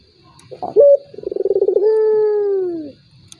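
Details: One turtle dove phrase used as a lure for a quiet rival: a sharp opening note, a fluttering trill that speeds up, then a sustained coo that slowly drops in pitch and fades.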